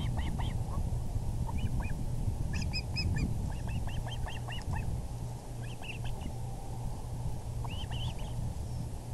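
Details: Osprey nest in April 2020, evening, the male arriving with a large fish: scattered short high chirps, some in pairs or little bursts, spread irregularly across the recording above a constant low background drone.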